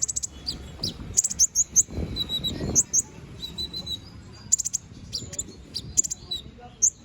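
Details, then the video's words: Canary singing 'gacor ngobra' as master material for murai: scattered high chirps and brief trills, partly masked by a broad low rumbling noise, especially in the first three seconds. "Suara BURUNG KENARI GACOR NGOBRA! Cocok untuk masteran"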